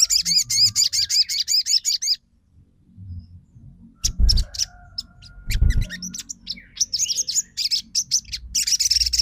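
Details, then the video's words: Lure recording of a crimson sunbird for making birds sing: a quick rattling series of high arched chirps, then silence, then mixed twittering and buzzy notes with two low thumps. "PANCINGAN SOGON TROTOL MACET BUNYI LANGSUNG RESPON & NYAUT!!"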